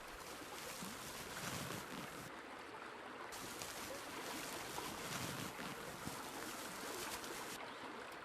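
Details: Blustery wind buffeting the microphone over a wash of surf-like noise, with no animal voices standing out.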